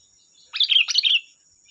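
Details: Sooty-headed bulbul in full lively song, used to provoke other bulbuls to sing: one rich, warbling phrase of several jumbled liquid notes lasting under a second, with a constant thin high hum.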